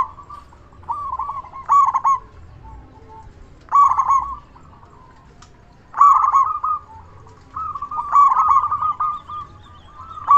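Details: Local zebra dove with a big voice, used as a lure to draw replies from other doves: bursts of rapid, stuttering coos near one pitch, each phrase opening with a bright trill, repeated roughly every two seconds over faint low hum.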